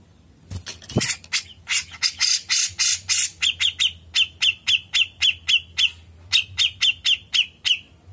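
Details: Grey-cheeked bulbul (cucak jenggot) singing tirelessly in 'ngepik panjang' style. A burst of harsh notes gives way to a steady train of sharp ringing chips, several each second, with a faint low hum behind.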